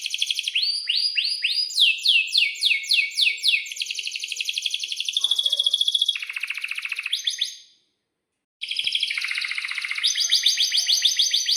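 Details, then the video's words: Singing domestic Atlantic canary in breeding condition, with long rolls: fast series of falling whistles, then sustained rattling trills at varied pitches. A brief silent break comes near the eighth second, and a bright rolling trill resumes afterwards. "kenari gacor panjang buat pancingan kenari paud belajar bunyi agar NYAUT"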